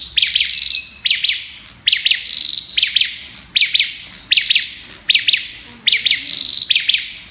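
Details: Olive-backed tailorbird sings rapid "Kalashnikov" bursts. Crisp paired chirps come in a fast, regular series, each linked to a short rattling trill on one high pitch. The sequence continues throughout.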